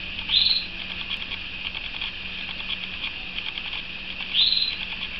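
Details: Pet canary sings a soft, steady, high chattering warble; two brighter rising notes stand out near the start and again about four seconds later.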